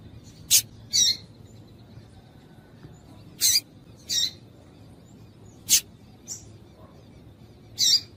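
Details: Female double-collared seedeater call, used to get males singing; short, sharp, very high chirps, single and paired, spaced irregularly about a second or more apart over quiet background.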